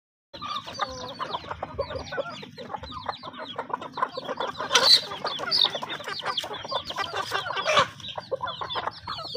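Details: Chickens feeding, hens with their young, a dense chorus of rapid high peeps and soft clucks from many birds, with a few louder sharp notes mid-way.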